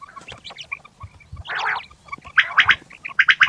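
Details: Fat quails calling at morning: scattered thin notes, a loud coarse burst in the middle, then rapid strident chattering notes toward the end.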